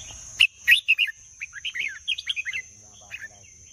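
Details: Red-whiskered bulbul gives a lively run of quick, liquid chirped notes that dip and rise, followed by a softer short phrase, with a constant high electronic whine behind.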